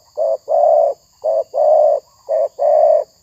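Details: Spotted dove cooing in three paired phrases, a short note then a longer one, roughly once a second, over a steady high-pitched whine, recorded during a dove-luring (pikat tekukur) session.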